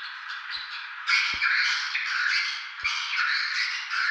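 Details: Swiftlets at Tambunan, recorded to show they are present: a thick mass of rapid chattering chirps that swells sharply after the first second, with a few faint low knocks underneath.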